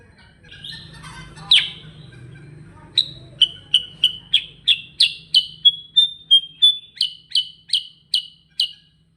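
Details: Sooty-headed bulbul (kutilang sutra) in chatty, rolling ngerol song. A scratchy opening note is followed by a steady series of about sixteen short, punchy chirps, roughly three per second, some ending in brief flat whistles.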